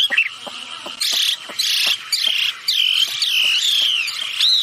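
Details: Female and male wambi birds calling vigorously, a recording used to lure other birds into calling. Harsh, buzzy bursts alternate with arched, whistled slurs, about six loud phrases over four seconds, each separated by brief quieter gaps.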